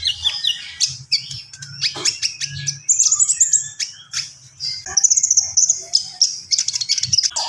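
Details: Javan pied starling singing energetically: shrill whistles, clicks and harsh chatter in fast, varied phrases, with faint low hum underneath.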